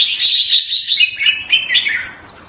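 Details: Hobby-kept red-whiskered bulbul (jambul) delivering a rapid, continuous stream of sweet whistled and chirping notes that slides slightly lower and fades toward the end.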